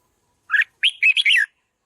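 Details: Red-whiskered bulbul, a decoy bird trained to sing loudly, giving one quick phrase: a slurred opening note followed by four bubbling, warbled notes, bright and clear against silence.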